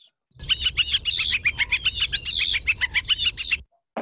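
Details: A European Starling mimics two species at once with its two voice boxes: a rapid, even series of Northern Flicker-like notes from one beneath slurred Eastern Phoebe-like whistles from the other, a dense run of about three seconds.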